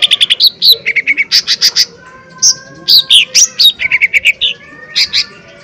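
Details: Lesser green leafbird singing loud 'tembakan' bursts, used as a lure to provoke other birds into singing: quick runs of sharp, high chirps and clipped notes, broken by short slurred phrases and brief pauses, over a faint low hum.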